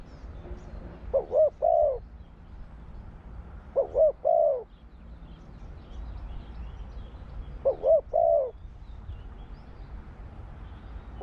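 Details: Spotted dove song, described as หลิวตัน ป่าร้อย style: three separate phrases of two short coos and a longer drawn-out coo, spaced several seconds apart over quiet background hiss.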